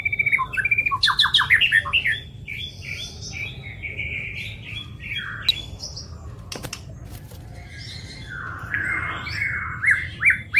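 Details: White-rumped shama (murai batu) song meant for training other songbirds: an opening flurry of rapid chattering notes, then quieter scattered whistles and trills over a low background hum, and a louder whistled phrase returning at the end.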